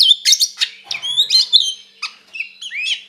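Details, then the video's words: White-rumped shama singing its fighting song to stir another shama: harsh bursts and chattering notes give way to smooth whistled slurs and rising high notes, a few brief pauses between. "SUARA BURUNG KACER GACOR NGEPLONG TARUNG KONSLET TERAPI AMPUH BUAT PANCINGAN KACER AGAR EMOSI"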